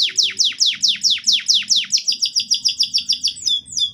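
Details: Canary's energetic song used to spur young canaries to start singing: about twenty evenly repeated whistled downslurs that quicken and rise into a fast high trill, ending in two short clear notes, with low background hum.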